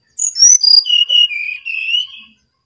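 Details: Brown-chested jungle flycatcher from Bali in lively song, a clean run of clear whistled notes stepping down from very high to a sustained, slightly wavering lower pitch, about two seconds long against a silent background.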